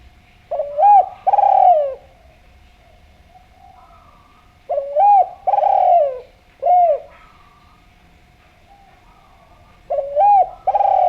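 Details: Spotted dove calling vigorously and sweetly as a lure: three phrases of mellow hooting coos, each a quick double note followed by a longer drawn coo, spaced several seconds apart in a quiet setting.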